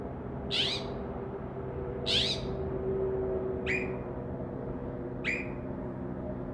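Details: Night song of a Northern mockingbird perched outside a window: two harsh, broad notes about 1.5 seconds apart, followed by two thinner, clipped notes that drop sharply, over a constant low hum.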